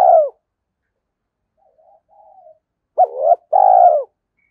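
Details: Spotted dove lure call for stirring doves to coo: one short downslurred coo, a faint murmur, then a sharp two-part note and a long rolling coo, low and mellow, in a silent background.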